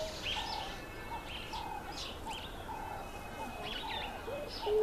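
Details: A laughing dove displaying to attract a female gives soft, low bubbling coos in short repeated phrases, with higher chirps from other small birds in the background.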